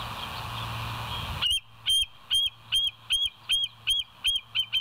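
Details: West End bald eagle on a live cam, 7 July 2023, 06:21: after a second of hiss, a steady chain of about nine high, thin, downslurred whistled chips, nearly two per second, each with ringing overtones.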